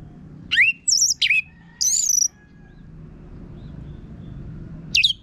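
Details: Orange-headed thrush song with a harsh, coarse voice, played as a lure to get other birds singing: short separate bursts of sharp rising and looping whistles, high and bright, with pauses between them.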